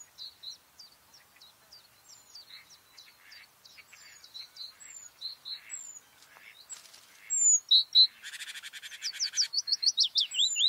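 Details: White-spotted bluethroat (Luscinia svecica cyanecula) in May, singing a varied phrase: thin high ticks and whistles build into a dry buzzy rattle, then a burst of loud, rapid, metallic notes.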